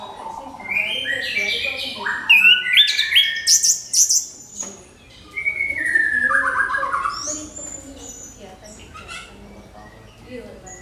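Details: Orange-headed thrush song used as a lure to provoke other birds into singing: loud, varied phrases of sliding whistles and harsher rich notes, bursts between two and five seconds, then softer falling whistles.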